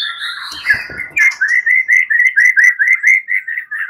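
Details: Agitated fighter white-rumped shama answering other males; after a brief mixed start, a fast string of similar clear whistled notes repeats about twice a second, evenly pitched.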